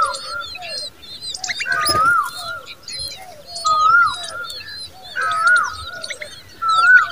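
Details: Common babbler defending her nestlings. A short rising-falling whistle repeats every one to two seconds amid dense high-pitched chirps and chatter, with one brief sharp knock near the start.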